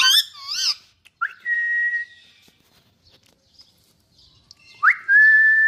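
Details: Rose-ringed parakeet, called Indian parrot, vocalising: a wavering, warbled whistle with rich overtones, then two clear whistles that sweep upward and hold long and steady, separated by a quiet gap with faint chirps.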